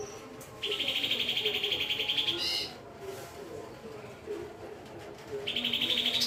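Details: Roll tembak song of a Lesser green leafbird: a steady, rapid pulsed trill for nearly two seconds ending in a brief higher flourish, a quieter pause, then the trill starts again.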